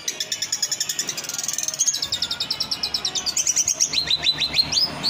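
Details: Long-tailed shrike, a champion singing-competition bird, giving a rapid high chattering song of sharp, repeated notes about four per second, with trilled runs and falling slurred phrases near the end.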